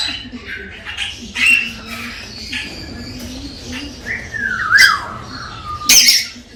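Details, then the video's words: Galah stimulating a female toward mating gives scattered squawks, then a clear whistle sliding downward, followed by a sharp harsh screech at the end, with a faint low hum beneath. "Tweeting Cockatoo Gala parrot stimulates the female"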